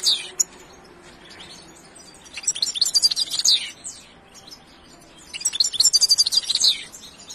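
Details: Two bursts of goldfinch song separated by a quiet gap, each a tumbling run of bright, high twitters and buzzy trills lasting about a second and a half.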